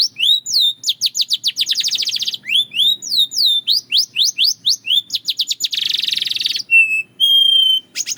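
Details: Belgian canary singing: quick trills of sliding whistles and swooping notes, a harsh buzzing roll, then two long, flat, pure whistled notes.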